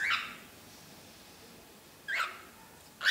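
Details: Cockatiel kept as a pet, angry at a small ball on the perch, gives short harsh rasping bursts spaced about one to two seconds apart over a low room hiss.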